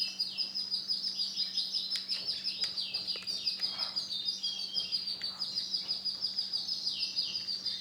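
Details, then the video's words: Male canary with white plumage in full song: fast rolling trills and sharp chirps, phrases tumbling one into the next, loud and continuous over a faint constant hum. "CANARY JANTAN PUTIH"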